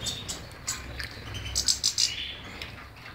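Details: Brief European goldfinch phrase: scattered high chirps, then a fast run of four bright, ringing notes, followed by a few softer twitters.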